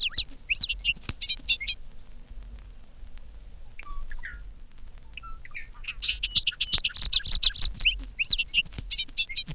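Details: Several bobolinks chasing one another over a meadow, giving bubbling, banjo-like songs; dense jumbles of rapid high tinkling notes in two bursts separated by a quieter gap with scattered faint notes.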